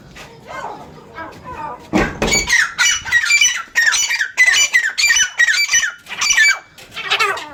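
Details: Captive francolins kept by their owner in the Soon Valley, Khushab, calling loudly: harsh, grating squawks with rich overtones, repeated in bursts about every half second after a quieter start, echoing as if indoors.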